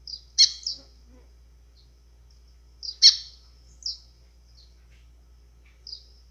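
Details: White-throated seedeater, azulão-style song meant to excite birds: two bursts of loud, piercing high notes about two and a half seconds apart, each trailed by softer chips, in near silence.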